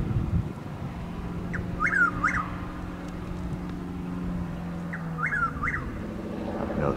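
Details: Around 6:15 in the morning, still dark, six miles southeast of Lake Placid, Florida, a Chuck-will's-widow gives its rhythmic whistled phrase twice, roughly four seconds apart, against low background hum.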